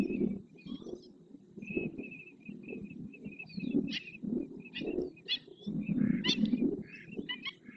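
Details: Flamingos displaying as a group in the Doñana National Park marsh, Huelva, Spain; low, rhythmic gabbling honks pulse underneath while higher whistled chirps of other birds repeat above, followed by louder, harsher calls toward the end.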